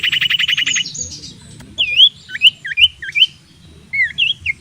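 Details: Common iora song used as a decoy to provoke fighting: a fast buzzy trill of about fifteen rapid notes, then clear looping whistled notes sliding down and up, repeated in quick series, with a faint low hum beneath.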